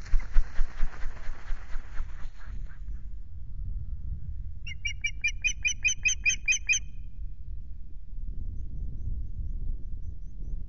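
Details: At Loch Garten on 17 April, the newly arrived male osprey at the nest in evening light; a rushing, flapping-like noise opens, then a short burst of about nine bright chirping whistles amid steady low background sound.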